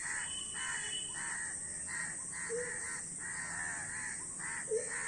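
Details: Many crows caw steadily, each call short, rasping and nasal, one after another in a busy group. A brief higher squeak cuts in near the end, over a continuous high-pitched hiss.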